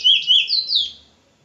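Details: Chestnut-bellied seed-finch, the Trinidad bullfinch, with a short phrase of four clear whistled slurs, each rising then dropping, the last two higher and longer before the sound fades out.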